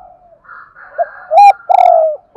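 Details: A spotted dove kept as a lure bird calls daily, here with low soft murmurs rising into a loud, hollow note, then a longer, slowly falling coo and one more short note at the end.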